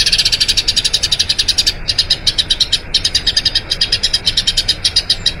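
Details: Master recording of a Eurasian tree sparrow's long rolling song for training other birds; a dense chirping run, a short break, then spaced but rapid bright chirps continuing to the end.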